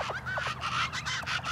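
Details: Several plain chachalacas (Ortalis vetula) at a Texas brushland bird-feeding site call in a loud, raucous chorus of harsh, repeated notes with falling hooked strokes, overlapping one another.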